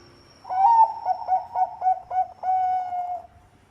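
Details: Bangkok-type zebra dove singing as a lure: a bright first note, then a quick, bubbling series of soft coos ending in a sustained, slightly falling tone.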